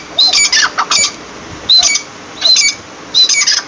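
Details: Four short bursts of partridge calling. Each is a high whistled note that runs into harsh, scratchy squawks, with brief pauses between the bursts.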